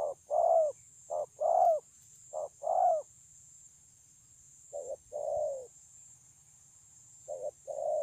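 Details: Wild-caught spotted dove with a strong voice, recorded 9/6/2020, cooing in short phrases: three paired short-then-long coos, each long note sliding downward, then a pause of nearly two seconds before the phrase resumes. Steady background hiss.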